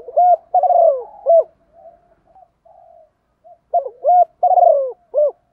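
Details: Spotted dove singing in the 'thổ' voice style, used to provoke and lure wild doves to sing: two loud mellow cooing phrases, each of three or four throaty notes ending in a short accented coo, separated by soft murmurs.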